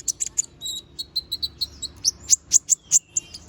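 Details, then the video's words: Little spiderhunter singing a sharp fill-in song as a tutor recording. A fast run of high, even, repeated whistled notes is followed by louder piercing chirps, about one and a half per second. "Kolibri Ninja || Masteran Suara Burung Konin Gacor Bongkar Isian Suara Tajam"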